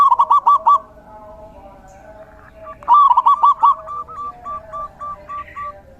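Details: A zebra dove sings during the rainy season. Quick, hooked cooing runs open the recording, and after a pause another loud rolling burst follows, trailing into a long series of softer, evenly spaced coos.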